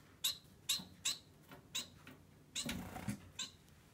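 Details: A pet society finch gives clipped high chirps in quick succession, about two per second, with a brief rustling burst in the middle and faint low room hum.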